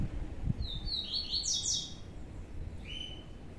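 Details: Two young Blue-black Grassquits held in captivity produce a short cluster of high, descending buzzy chirps, then a single thinner whistled note, over low background rumble.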